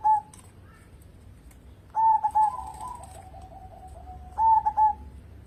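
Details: Local zebra dove in song, meant as a lure to make other birds sing. A short coo, then two phrases of quick, soft cooing notes, the first trailing into a long, low, purring trill.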